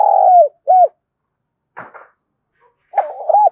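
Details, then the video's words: Spotted dove used as a decoy bird to lure and train wild doves to coo: mellow, low hollow coos in short bursts, a long note then a short one, a pause, then another run of coos. "tiếng cu gáy mồi gáy gọi bổi và luyện bổi gáy theo hiệu quả mỗi ngày"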